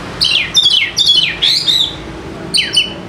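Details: White-rumped shama song used to coax lazy birds into singing: a quick string of sharp falling whistles leading into a rich sustained warble, then a short two-note phrase after a pause.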